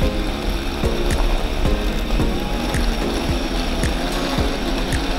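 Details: Music with a steady, repeated mechanical ticking beat plays throughout, with no animal calls heard.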